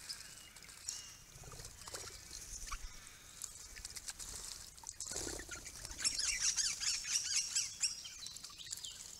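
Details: Visiting flock of critically endangered Swift Parrots, April 2022, up to nine birds with at least two immatures: after a quieter rustling start, a rapid run of thin, high clinking notes in the last three seconds, several per second.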